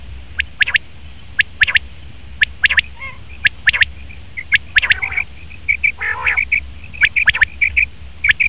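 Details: Male common quail calling, sharp high clipped notes in quick pairs and triplets, with a brief lower rasping growl and thin, steady high whistles from another bird between phrases.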